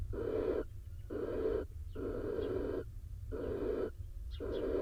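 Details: Barn owl pair in a nest box in Israel as the wet male returns from his daytime roost to the incubating female; five rasping, breathy hisses roughly once a second, faint higher squeaks between, constant low background hum.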